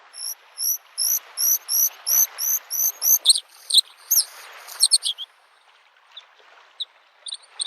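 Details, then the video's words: Bluethroat song in spring at a lake: a loud run of about a dozen identical high ringing notes, steadily repeated, breaking into sharp varied twitters, then quieter scattered notes; faint wave noise beneath. "the singing of the bird Varakushki"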